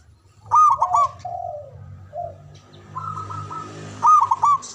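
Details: Loud, long-breathed local Javanese zebra dove song, used to lure other doves into answering: two strong trilled coo bursts separated by softer, lower gliding coos, with a steady low hum in the background.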